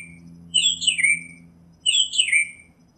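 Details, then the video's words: Northern mockingbird giving two swooping, slurred whistled phrases that rise and then fall, the second a near copy of the first after a short pause. "Northern Mockingbird Song, Sound, Voice, Call, Melody - Sinsonte Canto - Mimus Polyglottos"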